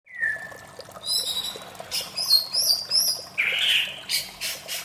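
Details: White-rumped shama singing melodiously in the morning: a long low whistle, then scattered high sharp notes and a burst of rich warbled phrases, over a steady hiss of background noise.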